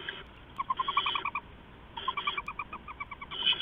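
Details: Owl at a nest at night, 4:31–4:40 AM on 15 November 2015, an adult flying in and out and bringing rats to owlets; two bursts of rapid, evenly spaced chittering notes, with harsh hissy rasps between them.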